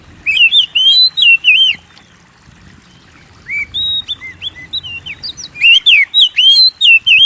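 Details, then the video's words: Energetic oriental magpie-robin song meant to provoke kept birds to sing: bursts of rapid, wavering whistles with high chips, a near-silent pause, then renewed sweet phrases building to a dense, loud finish. "Pancing Burung Kacer Gacor"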